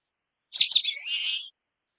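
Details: A single common waxbill song phrase: two sharp, descending chip notes, then a nasal, buzzy drawn-out note rich in overtones, lasting about one second in otherwise silent surroundings.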